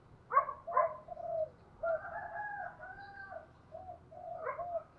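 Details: Decoy spotted dove with a "thổ" style voice, used to lure wild doves: repeated hollow coo phrases with a drawn-out middle note, fairly quiet over steady low rumbling background noise.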